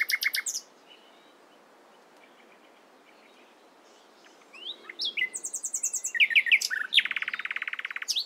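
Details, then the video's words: Morning nightingale song: a brief loud staccato burst, a long pause with faint notes, then a rising sequence of slurred whistles ending in a fast buzzy rattle. "Nightingale Singing In The Morning"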